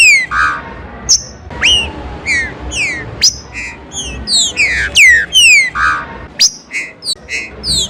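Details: Green-winged saltator singing a warm-up stimulation song in rain: bright whistled downslurs and sharp upward-flicking notes, alternating with short lower mellow phrases, rapid and irregular, over steady background hiss.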